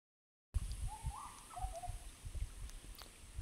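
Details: A restless large scimitar babbler by a cold rocky stream in Hazarikhil Wildlife Sanctuary around 1:30 pm in May 2025 gives a brief phrase of mellow, hollow whistled notes, stepping up then sliding down, over a steady low rumble.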